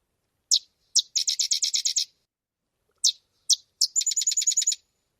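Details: Sedge Wren, a marsh-nesting bird that builds globular nests in wetland vegetation, gives a very staccato call that seems not to want to stop: two or three sharp dry chips, then a fast high chatter of about ten notes, given twice.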